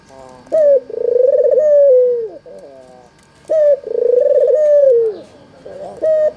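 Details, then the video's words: White albino Barbary dove with red eyes, lure to get lazy doves calling: twice a sharp short note followed by a long rolling coo that falls off, then a third short note begins. "Pancingan AMPUH suara burung puter putih mata merah"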